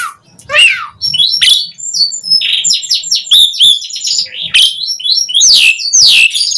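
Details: Asian pied starling (jalak suren) in lively song, used as a lure to get other starlings singing. A busy jumble of chattering whistles, squeaky chirps and steep downward-sliding notes, loud and varied throughout.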